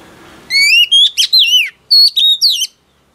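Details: Singing female oriental magpie-robin, used to stimulate a male: a sequence of pure rising and falling whistles with clean harmonics, delivered in two clusters before falling quiet.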